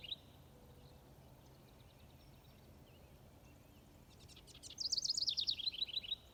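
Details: Garden warbler singing in Wisconsin; after faint scattered chirps, a short burst of rapid, high, tumbling warbled notes comes near the end, over a steady background hiss.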